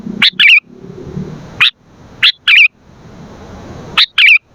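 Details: Sooty-headed bulbul singing vigorously, for luring and training other bulbuls: three phrases of a clipped chirp followed by a quick liquid warble, about every one and a half seconds, with a faint low murmur behind.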